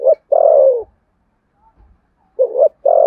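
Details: Spotted dove in contest cooing, Sấm Thổ voice style: a long, mellow, downward-sliding coo after a short note, a pause, then a double hoot and the start of another long coo.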